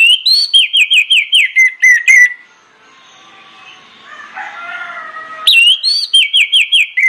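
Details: Orange-headed thrush lure song (pancingan) sung loud and persistent to set other birds singing: a fast run of bright whistled notes, each sliding down, repeated about four per second, then a quieter patch of softer warbling before the loud whistled series returns.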